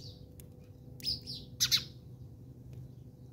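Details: House sparrows fighting in South Africa, giving a few sharp, high chirps in quick bursts, two loud clustered notes near the end, over a steady low background hum.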